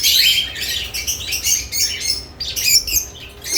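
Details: Several lovebirds chirp excitedly near newly placed nest boxes, with quick shrill notes packed into bursts that barely pause.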